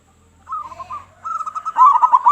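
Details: Local zebra dove with a big voice, calling to draw in other doves: a soft wavering coo, then a rolling run of notes speeding into loud bubbling pulses.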